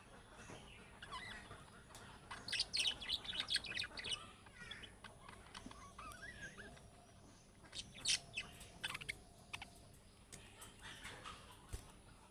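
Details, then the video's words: Budgerigar chatter in the calling style of chicks, used to make other budgerigars respond: rapid, irregular high chirps and warbled twitters in clusters, some louder bursts around three and eight seconds. "MUHABBET KUŞU SESİ Kuşunuz Bu sese Karşılık Verecek Kuş Sesi"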